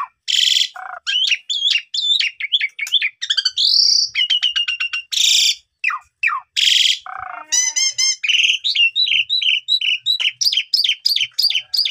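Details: Asian pied starling in long, varied lure song to prompt other starlings to sing: loud raspy bursts alternate with bright whistles and fast chattering runs of notes.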